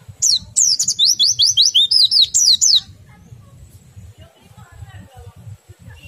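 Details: Oriental white-eye song in the ngerol style joined to nembak, used to prompt other white-eyes to sing: nearly three seconds of quick, evenly repeated high downslurred notes, then near silence.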